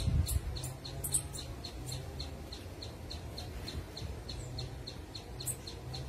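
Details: An Orange-headed Tanager singing in the wild gives a fast series of thin, high, ticking notes, about three or four each second, over a steady low rumble of background noise.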